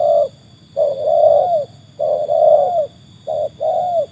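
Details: Cooing from a trained spotted dove set against wild birds: a short coo, then three rounds of brief coo plus longer wavering coo that tails downward.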